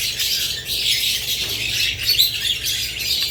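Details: Dense, bright chirping of budgerigars and lovebirds: many thin, warbled notes overlapping into an even, continuous chatter.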